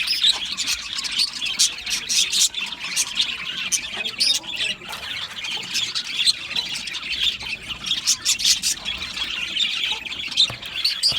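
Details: Budgerigars in an aviary colony, singing and chirping together: a dense, continuous wash of high, scratchy warbles and squawks, with sharp clicks and chirps scattered throughout and no pauses.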